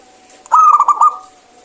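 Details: Local zebra dove singing with a bright, clear voice, used as a remedy for birds reluctant to sing. One brief phrase of rapid, trilling coo notes on a level pitch.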